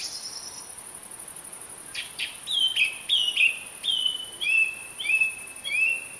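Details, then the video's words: Song thrush singing: after quiet opening notes, a series of clear whistled phrases, each repeated several times in a row, some sliding down, set against constant high background hiss. "O Canto da Ave Tordo comum (Turdus philomelos)"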